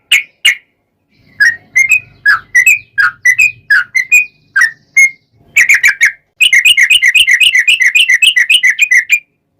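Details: Yellow-vented bulbul in energetic song, played as a lure to make other bulbuls answer at once: spaced liquid whistled notes, some rising, building into a long, rapid run of bright repeated chirps at the end.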